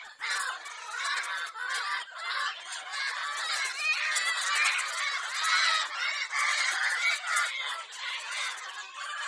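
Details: A pet lorikeet, recorded for entertaining parrots, keeps up a dense, rasping chatter of loud overlapping screeches with almost no pause between them.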